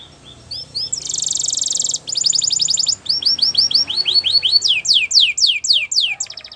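A Belgian canary sings a fast, varied song: a bright trill, then rows of quick chirps and downward-sweeping whistled notes, each phrase repeated rapidly.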